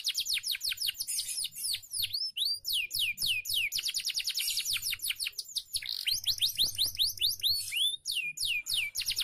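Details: Canary song used as a master training recording for caged birds; continuous rapid sequences of high, sharply down-slurred chirps, some deeper swooping notes, repeated in quick bursts with hardly a pause.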